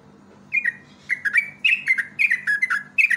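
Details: Yellow-vented bulbul singing a lively lure song: a string of quick, liquid whistled notes, each dropping in pitch, delivered in close bursts almost without pause, over a faint low hum.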